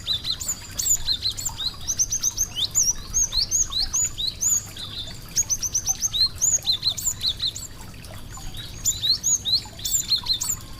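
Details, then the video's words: Sweet song of a small bird, high thin chirps and quick whistled phrases in bursts, several voices overlapping, brief pauses between runs, over a faint low hum. "suara merdu burung kecil cantik"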